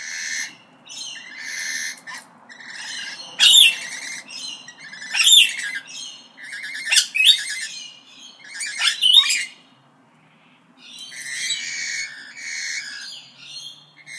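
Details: Parrot squawks and chatter: rough, grating calls alternate with sharp piercing shrieks about every two seconds, a short silence, then renewed scratchy calling.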